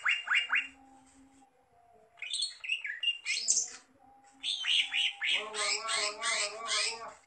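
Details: Greater green leafbird song: a few downslurred whistles, a quiet gap, then varied warbling twisting phrases building into loud rhythmic rich notes repeated several times a second.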